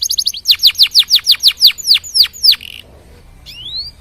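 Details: Canary singing to spur other canaries into song, delivering about a dozen loud, evenly spaced, downslurred whistles, then a brief pause and a single rising, thin whistle.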